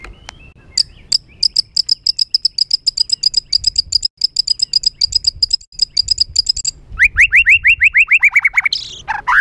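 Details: Emotional, rough training song of a white-rumped shama used to agitate other birds: a long, rapid run of high ticking notes, then a series of quick falling whistles and a harsh ending.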